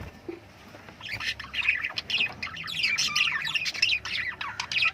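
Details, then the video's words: Lovebirds chirping: a dense run of shrill, squeaky chirps and chatter starting after a second of quiet and continuing unbroken, with faint low background hum. "birds chirping sounds/love birds singing sounds"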